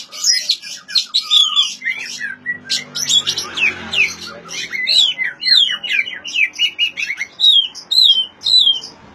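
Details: Oriental magpie-robin singing, meant to coax silent birds into song: rapid jumbled chattering notes give way to a series of clear, down-slurred whistles repeated about twice a second, with a faint low hum early on.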